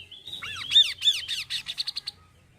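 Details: Song of the kaso-kaso bird, played in Indonesia to coax birds into singing. A thin whistle leads into repeated arched, swooping notes, then speeds into a quick series of short, evenly spaced chips. Faint low hum underneath.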